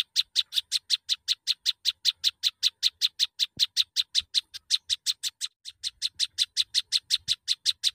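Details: Rapid run of identical sharp, high chips from a prinia, roughly four per second, with one short pause near the end before the series resumes; the background is otherwise quiet apart from faint low thumps.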